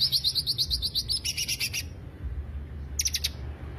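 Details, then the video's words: Greater green leafbird lure song: a quick series of evenly spaced high chips leading into a buzzy burst, then a pause and a final short trill. "pancingan suara cucak hijau"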